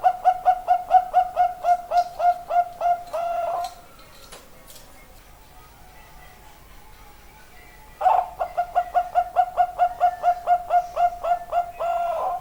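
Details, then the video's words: Long runs of evenly paced, staccato coos from a highly vocal zebra dove, each phrase of over a dozen notes closing with a rolling flourish, separated by a quiet gap of several seconds. "burung perkutut super ngoce"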